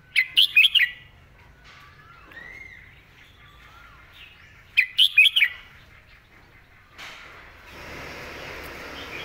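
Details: Red-whiskered bulbul performing the 'mae bot' master song style with clearly articulated phrases: bright bubbly notes in short clusters and soft rising whistles, a pause, another cluster, then a rustling noise at the end.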